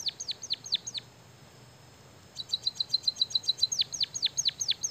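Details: White-headed munia singing its canary-learned song with energy: falling swooped whistles, a brief pause, then a fast run of high bright ticks flowing into more steeply dropping whistled notes.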